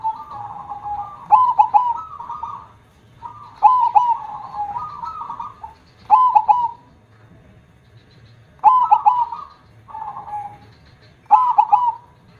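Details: Persistent zebra dove song in the deep KONG style, five phrases of husky cooing with strong stressed notes, each repeated every two to three seconds.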